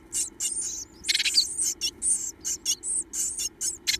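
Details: Japanese tit chicks, two left in a nest box, begging eagerly for food with open mouths; high, buzzy chirps repeat about every third of a second, including one louder, broader rasp near the start, over a faint hum.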